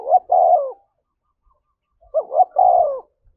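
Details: Spotted dove cooing to provoke fighting, two phrases of quick hooked notes ending in a long falling coo, separated by silence, with faint low thumps.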